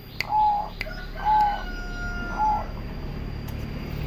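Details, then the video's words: Three clear, level coos from a turtle dove, spaced about a second apart, over a steady background hiss and low hum, with a few sharp clicks. "The melodious sound of turtle doves"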